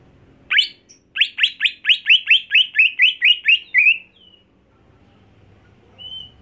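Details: Home-kept greater green leafbird, being trained to sing fiercely at contests, delivers a fast run of about a dozen loud, sharp downslurred notes, then falls silent before one faint high whistle.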